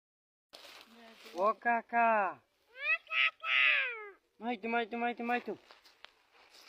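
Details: Clever Javan myna imitating human speech: a run of harmonic, voice-like syllables with rising and falling inflections in three phrases, resembling spoken words, with a few faint clicks.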